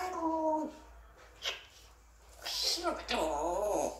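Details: Grey parrot kept indoors muttering unclear words, with wavering, voice-like tones, a short whistle and breathy noises over a low room hum.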